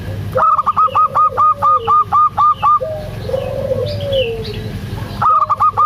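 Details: Actively singing local zebra dove, recorded as a lure to stir a quiet dove into song. A rapid, even series of about ten sharp, repeated coo notes, then softer low slurred phrases, and a new burst starting at the end.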